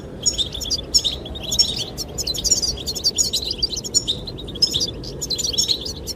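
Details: Singing goldfinches courting a female: a busy stream of sharp, high, liquid twitters and trills with hardly a pause, over a background of wind.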